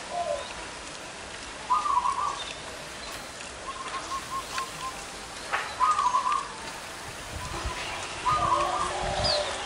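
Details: Zebra doves of large and small voice gathering at a trapping location; three separate quick rattling coo bursts spaced several seconds apart, with rain-like background noise and faint other bird chirps.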